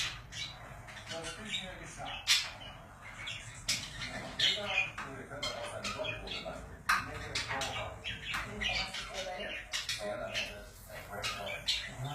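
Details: Pet budgerigars keep up a busy, soft chatter of clicks, chirps and short squawks, fairly quiet and continuous for twelve seconds.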